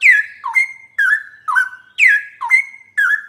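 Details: Straw-headed bulbul song played as a master for sooty-headed bulbuls: seven rich whistled phrases, alternating high swooping notes and low dips, roughly two each second, on a clean background.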